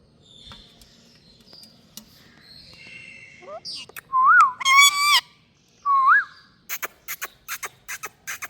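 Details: Indian ringneck parrot talking, with rising and falling voice-like whistles rich in overtones, then a quick series of sharp clicks over soft background hum.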